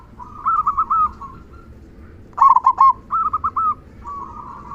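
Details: Zebra dove (local perkutut) in a big "kung" song used to excite silent doves; soft rolling coo phrases, then a louder stuttering burst of rapid notes and further bubbling coos.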